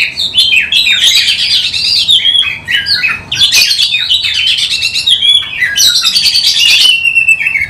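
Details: Oriental magpie-robin, caged male-style performer with spread tail, sung as a lure for other birds: three long dense bursts of loud chattering and whistled phrases, harsh and varied, separated by brief dips.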